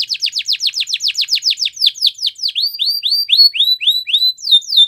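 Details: A Belgian canary sings a quick run of downward-sweeping notes, then changes to rising, curved whistles repeated about three per second, closing with falling sweeps.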